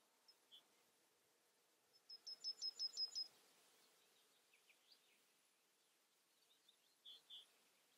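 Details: Yellowhammer singing: a quick run of about seven high, dry repeated notes lasting just over a second, with a few scattered soft chirps before and after.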